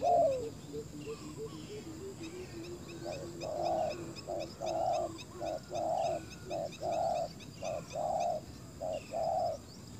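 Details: Spotted dove used as a decoy on open ground to lure wild doves. Low descending notes, then a run of steady, evenly pitched coos, roughly one each second. Faint bird chirps sound higher up.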